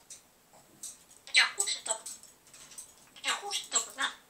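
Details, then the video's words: Talking grey parrot, a pet, producing speech-like syllables in short bursts with clicks and breathy sounds, some higher whistled tones, in a quiet room. "Говорящий жако"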